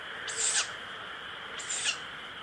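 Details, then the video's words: Owl nestling starting to call with two short, wheezy 'pishu' hisses about a second apart, steady faint hum behind. "フクロウ ピシュと鳴くヒナ鳥"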